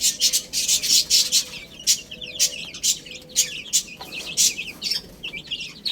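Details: Chicks eating spinach: loud, crisp pecking clicks come in clusters, with high, short chirps from several birds rising between them, growing busier toward the end.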